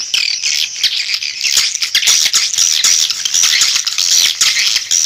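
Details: Swiftlet call recording used to attract birds: continuous, shrill twittering chirps mixed with rapid clicking ticks, busy and unbroken throughout, with no other sounds.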